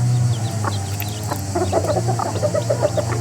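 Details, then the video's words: Roosters and their family calling together: a quick series of clipped, slightly nasal clucks that grows denser toward the end, set against a constant deep motor drone. "Rooster family makes noise together."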